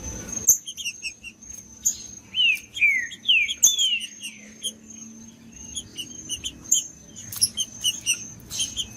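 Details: Green-winged saltator singing in the wild bush, played to stir up captive birds: a few loud slurred whistles falling in pitch near the middle, over many thin high chirps from other birds and a steady high insect-like tone.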